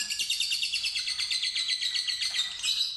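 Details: Fighter lovebird ngekek trill for luring another bird to sing, a continuous high buzzy chatter of quick, slightly uneven pulses throughout.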